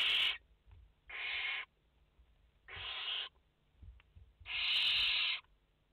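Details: Four harsh, broadband hissing screeches from barn owl chicks in a nest holding five young, filmed live on 29 August 2021. The bursts are spaced roughly a second apart, and the last one is the longest.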